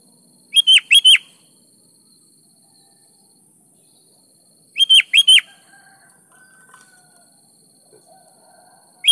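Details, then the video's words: Lively kutilang, the sooty-headed bulbul, singing to stimulate other bulbuls to join in: bright four-note whistled bursts about four seconds apart, with quiet soft whistles between them, and a third burst beginning at the end. "PANCING SUARA BURUNG KUTILANG GACOR"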